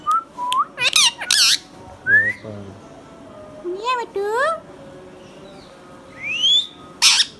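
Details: Green Indian ringneck kept as a hand-tame pet gives clear upward-sweeping whistles and ringing harmonic notes, with loud rasping screech bursts at about one and seven seconds and a stuttering nasal phrase near two seconds.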